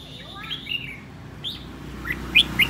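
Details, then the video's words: Red-whiskered bulbul kept as a caged decoy bird, aggressive and agitated, giving slurred whistled notes followed by a few sharp, bright chirps. "Chào mào mồi hót cực hay, hung hăng quay cuồng"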